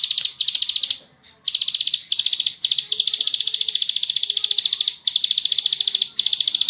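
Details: Bar-winged prinia singing in the rapid 'ngebren' style: long, dense, high buzzy trills of fast repeated notes, broken by brief pauses near one and five seconds, with faint low background hum.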